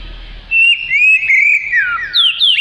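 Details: Oriental magpie-robin song meant for teaching other songbirds: after a quiet start, clear drawn-out whistles slide up and down, ending in higher, sharper notes.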